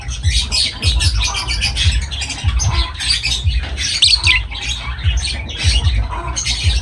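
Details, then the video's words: Lovebirds chattering almost without pause, a dense mix of shrill chirps and rough squawks, with a constant low mechanical hum underneath. "Love birds voice sound"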